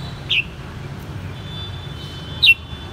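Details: Caged red-whiskered bulbul in Saigon, Vietnam, raised from a white-cheeked juvenile, utters two short, sharp whistled notes about two seconds apart amid a steady hum.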